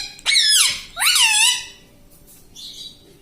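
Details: Pet parrot, a tota said to say "mummy" and "mitthu", mimicking words: two loud, tonal, voice-like syllables, the first falling, the second rising then dropping, followed by faint high chirps in a quiet room.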